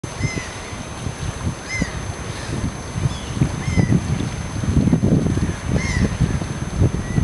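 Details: A common tern at the Starrevaart gives short, harsh, down-slurred calls every one to two seconds over a heavy low rumble of wind and water.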